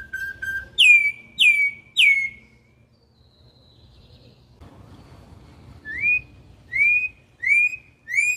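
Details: Campo troupial (corrupião), wild song: three strong rising whistles after a brief low note, a quiet pause of about three seconds with faint noise, then four more clear rising whistled notes in a steady series.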